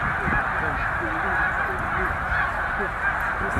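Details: Roughly 100,000 snow geese at Middle Creek wildlife refuge heading north to breed; an unbroken clamour of nasal honks, short individual calls repeating every fraction of a second over the massed roar.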